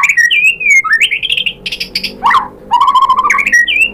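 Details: Lure song of a white-rumped shama used to excite birds into replying: varied whistled phrases, upward slurs, a burst of rough notes, then a steady mid-pitched trill and short rising whistles.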